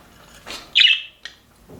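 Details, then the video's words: Budgerigars kept in an aviary, described as happy. One loud, bright chirp sweeps down briefly, followed by a faint short click-like note and soft background rustling. "HAPPY BUDGIES SOUNDS"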